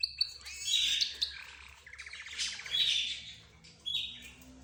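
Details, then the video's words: Mixed cage birds, a budgerigar, zebra finch, canary and one more kind, chattering together: high squawky notes, a buzzy rattling trill in the middle, then bright chirps and a short whistled phrase, with a faint low hum underneath. "حديث الطيور_سبحان الله | ماذا يقولون الله اعلم"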